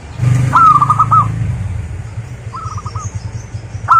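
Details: Lure song of a local zebra dove meant to get other doves singing: a short rolling coo phrase, then a quieter second phrase after a pause, with a loud low engine-like rumble underneath.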